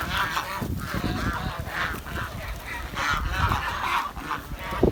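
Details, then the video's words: Village swan uttering a chain of loud, wavering, nasal honking notes, almost continuous, over steady low background noise. "The Chirping Sound of The Village Swan"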